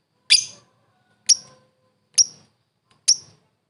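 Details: Lovebird, a world-champion competition bird, giving four separate sharp, high, downward-slurred chips, roughly one a second, in otherwise quiet surroundings.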